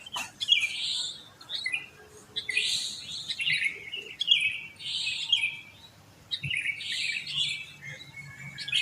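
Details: Several sooty-headed bulbuls singing after dawn near homes, the recording meant to coax a quiet bird into song: repeated high chirping bursts with short gaps, other birds woven through.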